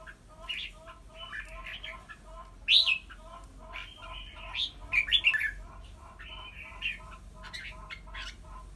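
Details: Red-whiskered bulbul kept as a decoy bird, nearly through its moult: scattered bright whistled notes and short warbling phrases, with a louder burst near the middle, over a steady low electrical hum.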